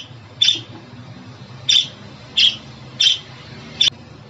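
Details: Pet budgerigar calls for cheering up a pet budgie: five short, harsh, scratchy chirps spaced irregularly over about four seconds, with a faint low hum behind them.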